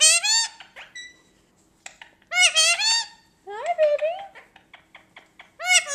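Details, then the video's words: A three-year-old Lutino male Indian ringneck parakeet, a house pet, talks in bursts of raspy, nasal word-like syllables, each burst followed by brief pauses and short chatter, indoors. "LOUIE TALKING CLEAR - INDIAN RINGNECK PARROT"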